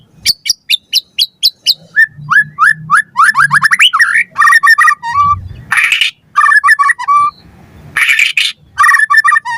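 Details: White-rumped shama lure recording for training captive birds: fast clicking notes, then rising and falling whistled phrases mixed with harsh bursts, with faint low murmuring in the background.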